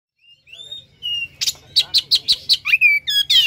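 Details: Captive Oriental magpie-robin (kacer) singing in a lure recording used to stimulate other kept birds to sing: a few clear rising whistles, then a rapid series of sharp, buzzy, repeated notes, ending in descending whistled slurs.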